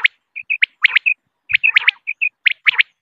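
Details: Quail giving short, clipped chirps in small clusters of two or three, some notes slurred upward, repeated about once a second against a quiet background.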